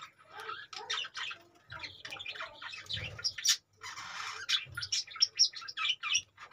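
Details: Several budgies in cages chattering with rapid twittering chirps and squawks, broken by a few short pauses and light knocks.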